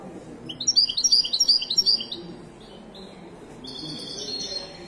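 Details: At the Casablanca bird market Souk al-Qriaa, a Moroccan wedani goldfinch gives one quick run of high, liquid chirps lasting just over a second. A few thin single notes follow. Soft background hubbub.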